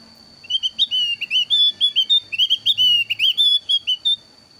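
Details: Javan grey-throated white-eye of the thin-browed 'alis tipis' type, giving a lively, varied lure song for drawing birds to call along: about twenty clear whistled notes, many slurred up or down, in a quick uneven run with a steady faint high tone behind.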